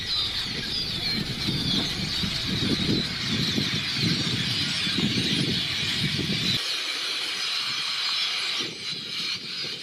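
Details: A huge mixed flock of blackbirds and red-winged blackbirds covering farm fields in rural Louisiana makes a dense, unbroken wall of high chattering and squeaky calls, with low wind or engine rumble for the first six seconds.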